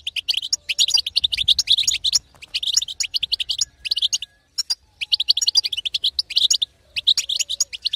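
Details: Goldfinch hen's song played to stimulate a male goldfinch to sing; long rattling strings of high tinkling notes broken by brief silences near four and a half and seven seconds.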